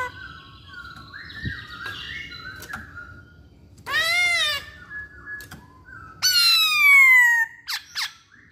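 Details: Chinese hwamei singing actively, with soft whistled notes early on, then a loud, rich, harsh burst and a long, bright, descending whistle with strong overtones, ending in two short sharp notes.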